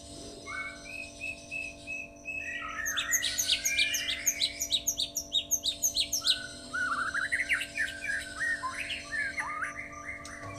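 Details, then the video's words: White-rumped shama, described as a Medan bird, singing with lovebird-like notes and long shots: soft whistled phrases, then a burst of rapid sharp high chips, followed by varied chattering trills, over a steady electrical hum. "Murai Batu rasa Love bird dan tembakan panjang"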